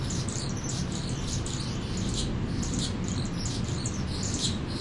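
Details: Mature male Anna's hummingbird announcing its territory, a feeder deck it held for six weeks; very high, thin scratchy buzzes and squeaks sung without pause across the whole stretch, over a steady low rumble.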